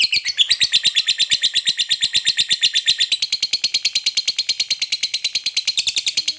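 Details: Long ngekek chatter from a lovebird calling its companions: a fast, unbroken string of rasping, buzzy notes, about seven per second, lasting over six seconds at an even pace.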